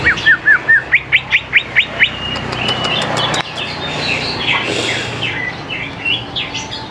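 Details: Greater green leafbird singing, the song used to lure young birds into song: quick series of short sharp upslurred whistles, then a dense chattering jumble of notes over background hiss.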